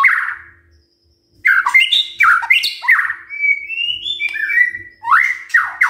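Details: White-rumped shama singing in the morning, recording meant to provoke silent shamas into answering, a loud, varied phrase of rich rising whistles mixed with harsh, squawky notes after a brief pause; no other sounds stand out.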